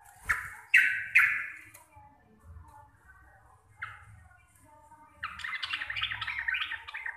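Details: Javanese local sooty-headed bulbul singing in a chattering, rapid ropel style, loud and clear: two or three harsh bursts open the phrase, a pause, then a quick run of jumbled chattering notes at the end.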